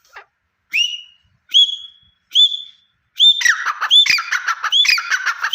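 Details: A Deccani partridge gives three loud, shrill whistled notes about a second apart, then breaks into a fast, harsh run of ringing, overlapping calls.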